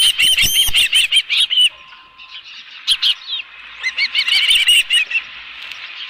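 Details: Osprey nest at Dunrovin Ranch, 11 July 2018, with a live fish brought in. Short bursts of high, repeated whistled chirps are separated by a quieter stretch of faint calling, with occasional knocking sounds.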